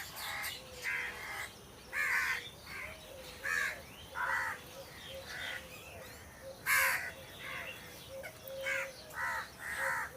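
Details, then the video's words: A group of crows in trees cawing repeatedly in short harsh bursts over ten seconds, with a steady series of soft, low whistled notes from another bird underneath. "Crow Sound Crow Ki Awaj"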